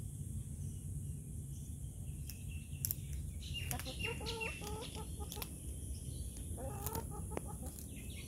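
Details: A pet female cockatoo, calling her owner awake on a December morning (17 Dec 2020) and asking for her usual biscuit treat, gives two bursts of short, nasal, clucking squawks over a steady low household rumble.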